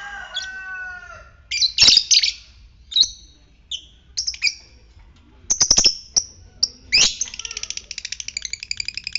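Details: Lovebird in a fighter-style recording used to provoke other lovebirds into the trilling ngekek song. Scratchy high chirps and squeaks give way to a fast, evenly ticking trill at the end.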